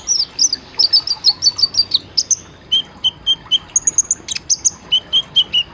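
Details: Training recording of an olive-backed sunbird for caged birds, in the 'isian tembakan' rapid-fire style: a fast series of sharp, high, slightly descending chirps, then steady high piping and shrill notes, repeated quickly and evenly throughout.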